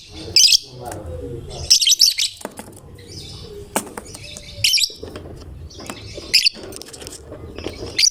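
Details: Lovebird described as a gacor fighter that makes any lovebird sing along; repeated shrill, high-pitched chirp bursts every second or two, some doubled, with faint lower twittering in between.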